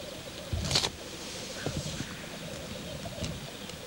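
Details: Male black grouse displaying at a courtship lek: a steady low bubbling, cooing chorus runs throughout, with a sharp hissing burst just before one second and faint soft noises beneath.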